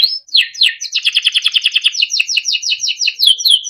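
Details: Timbrado canary, a small yellow bird, singing a melodic training song: rising sweeps open into a long run of fast, evenly repeated rolling notes, then a series of downslurred whistles ending in a clear tone.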